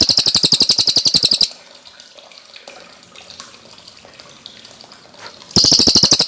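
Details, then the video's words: Cililin trill of rapid, high, ringing notes that breaks off into a quiet pause of several seconds before the fast notes resume. Recorded for training cage birds. "Masteran Burung Cililin Gacor Jernih"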